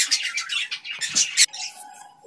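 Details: Captive zebra finches, parents caring for young that are learning to feed themselves, give a rapid burst of high, buzzy chirps that ends abruptly.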